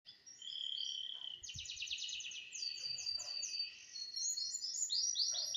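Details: Canary in morning song practice on Thursday, 18 December 2025: fast, bright rattling trills and buzzy rolls, roughly four units per second, with a steady faint whine and low background knocks.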